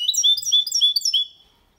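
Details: Goldfinch × canary hybrid singing a clean, error-free song meant to stimulate females and teach young birds; a rapid run of high twittering notes with sliding whistles, stopping after about a second and a quarter.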